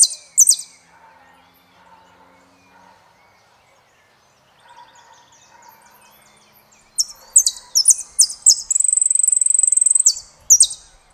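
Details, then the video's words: Saffron finch singing, with scattered high chirps early on, a quiet low warbling stretch in the middle, then loud sharp notes and a sustained bright trill near the end. "JILGUERO ARGENTINO - El peregrino"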